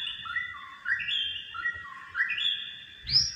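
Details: On a sofa indoors, a pet white-rumped shama that avoids its hanging cage whistles smooth paired notes, a higher note followed by a lower one, repeated about every half second, ending with a sharp upswept call.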